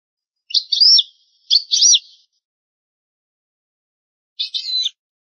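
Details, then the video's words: Old recording of European goldfinch song: paired bursts of sharp, high, twittered notes with falling slurs, then a gap and one more similar phrase. "شريط نادر للغة الحسون الاصلية Chant chardonneret ancien"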